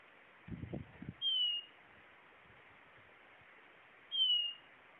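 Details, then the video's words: Blue-naped chlorophonia song: two clear, gently falling whistles about three seconds apart. A short burst of low rustling or knocking comes just before the first note. "Canto!! Guaturamo-Bandeira"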